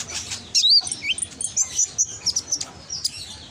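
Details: Konin, or brown-throated sunbird, singing a shrill lure song in Gresik, East Java. A short run of bright, thin whistles and squeaky chirps comes in close bursts.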